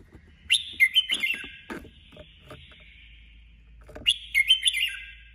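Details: Female red-whiskered bulbul used as a caged decoy bird in competitive singing. It gives two bursts of liquid, warbled whistles with quick slurred up-and-down notes, separated by a pause of about two seconds.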